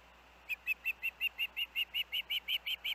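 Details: Osprey at the Hellgate nest alongside its young, 23 August 2024: a brisk string of thirteen piercing whistled chirps beginning after a short pause, evenly spaced and holding steady volume.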